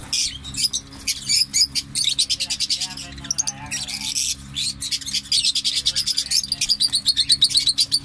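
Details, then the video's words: Parrots chatter in fast, high, rasping pulses that repeat quickly, with a brief lower, voice-like sound in the middle before the shrill chirping resumes. "طوطے کی ویڈیو طوطے کی اواز"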